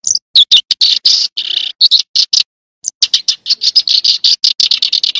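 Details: Lively tree sparrow chirping: irregular, sharp notes with a couple of drawn-out buzzy ones, a pause of about a second, then a faster, nearly continuous chatter of chips.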